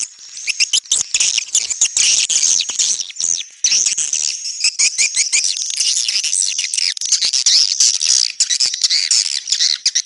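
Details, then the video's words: Swiftlets in a continuous high twittering chorus, with rapid overlapping chirps and buzzy trills packed closely together and a faint steady whine underneath. "SUARA BURUNG WALETNETRAL soUND"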